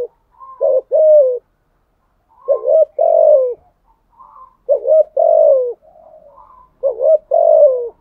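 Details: Spotted dove used as a decoy bird, cooing steadily: short two-part coos with falling tones, repeated in groups about every two seconds, with faint softer notes between.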